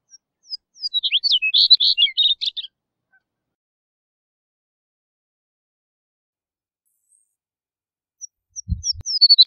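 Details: Two songs of the chestnut-collared longspur separated by about five seconds of silence: each a fast, tinkling cascade of high slurred whistles dropping in pitch, the second cut short and accompanied by a low thump.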